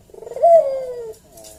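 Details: A single Barbary dove lure coo, calling actively to provoke a reply: a soft purring lead-in, then a smooth note that peaks and glides gently down for about half a second.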